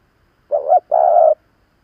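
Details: One phrase from a veteran decoy spotted dove provoking wild birds: a brief wobbling upturned note, a short gap, then a sustained even low coo. The background is otherwise silent.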